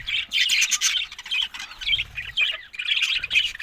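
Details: Budgerigars squawk and chatter in harsh, grating bursts mixed with a few clear chirps; low rumbles sound briefly in the background.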